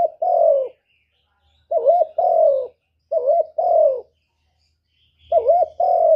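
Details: Spotted dove singing its 'kuk 1' song, meant to draw other doves: four mellow phrases, each a rolling wavy coo then a long downward-sliding coo, spaced one to two seconds apart, over a faint low rumble.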